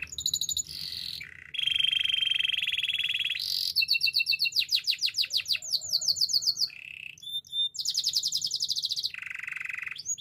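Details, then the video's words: A Spanish timbrado canary sings a training song. It moves through varied tours: steady ringing trills, pulsed rolling notes at a fast tempo, abrupt high chips and a held metallic tone, with clean changes between phrases. "Canary singing for training - Spanish timbrado song"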